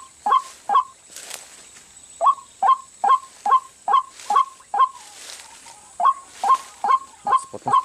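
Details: White-breasted waterhen calling at a trap spot used to lure wild waterhens, whose habitat is rice fields, gardens and swamps: loud, harsh, mid-pitched notes about twice a second in a steady run over a thin high insect-like hum.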